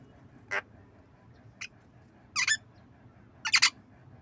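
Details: Javan myna imitating coughing as it nods: four brief rough bursts about a second apart, the later ones doubled and scratchier, over quiet background hum.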